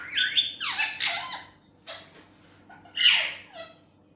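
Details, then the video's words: Talking Indian ringneck parakeet, a pet green parrot, voicing Urdu/Hindi speech. Quick squeaky, sliding word-like syllables cluster at the start, then a pause and a rasping, descending burst, all over a faint steady whine. "Indian Green Ringneck Speaking Parrot | Green Parrot Talking Beautiful |Parrot Talking In Urdu/Hindi"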